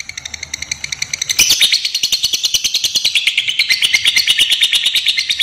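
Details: Lovebird of the fighter type giving its long ngekek trill, used as a lure and tutor song for young birds: a rapid, even run of high chattering notes that grows suddenly louder after a quieter start and then continues steadily without a break.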